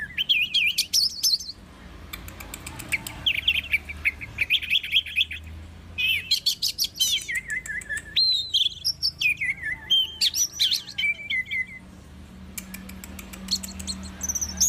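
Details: Long, varied orange-headed thrush song: rich phrases of whistled slurs, rapid trills and sweeping rising and falling notes, broken by short pauses, loud and close over a quiet low hum.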